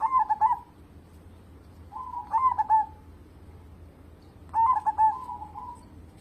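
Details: Singing local perkutut, or zebra dove, kept as a lure bird: three soft, mellow coo phrases, each a few clipped notes running into a short trill, spaced about two seconds apart.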